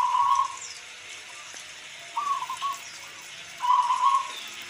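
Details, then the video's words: Singing local perkutut, the zebra dove, with rain hiss behind: three rolling, vibrating coo phrases, each under a second long, spaced about one and a half seconds apart. "Suara perkutut lokal sangat jernih"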